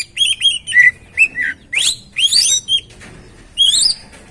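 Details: Song of an oriental magpie-robin (kacer), meant to stimulate another bird to sing: varied whistled notes, some falling and some sharply rising, with richer slurred phrases mid-way and a rising whistle near the end.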